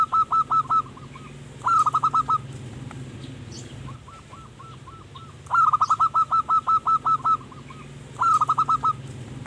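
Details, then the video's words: Local zebra dove singing steadily as a lure for wild birds: runs of rapid, evenly spaced cooing notes repeated in bursts, over a constant low hum and occasional faint chirps. "Perkutut Manggung Gacor Pas Buat Pancingan Burung Hutan"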